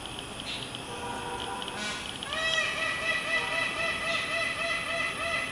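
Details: An Indian peacock calling to a peahen and chicks gives a rapid series of nasal, ringing notes, about four a second, after a few fainter tones; a steady high hiss runs underneath.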